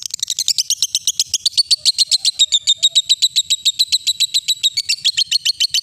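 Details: Ngekek song of a lovebird, played to train young and adult birds: continuous shrill, fast chatter of repeated sharp notes, dense at the start and then falling into a steady pulsing rhythm.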